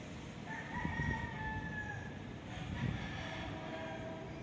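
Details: Rooster crow recorded using an ASUS Zenfone 2 Laser: a clear sustained cock-a-doodle-doo with a long level-then-falling final note, then a fainter distant answering crow, all over constant low-pitched engine-like hum.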